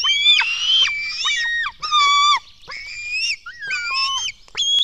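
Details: Nestling black storks in Latvia beg as food arrives, 04:53, 24 June 2016: a mix of shrill harmonic squeals, a lower flat wail and short downslurred notes, several voices overlapping in uneven bursts.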